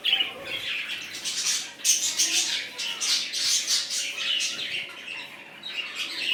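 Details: Many budgerigars in a freshly established colony chattering constantly, bright squeaky chirps and grating warbles overlapping in waves, with a faint background hum.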